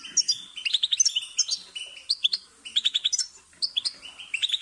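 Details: European goldfinch in continuous twittering song, played for training caged birds: fast chattering series of bright chirps, repeated note groups and high sharp accents with hardly a break.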